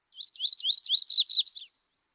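An Audubon's Yellow-rumped Warbler sings a short, steady trill of slurred, high whistled notes.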